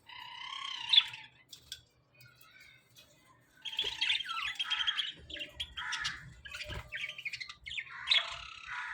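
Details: A small colony of budgerigars chatter together in a busy stream of squeaky, warbling chirps and harsh squawks.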